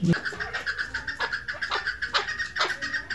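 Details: A female chukar partridge, recorded as a hunting call, gives harsh, clucking notes about twice a second over a steady, ringing background tone.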